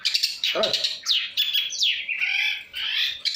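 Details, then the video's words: Long-tailed shrike kept as a songbird, delivering a rich mixed song of scratchy chatter, downslurred whistles and a nasal, buzzy warble, with a brief harsh low rasp near the start. "pentet cendet gacoorr suara full variasi"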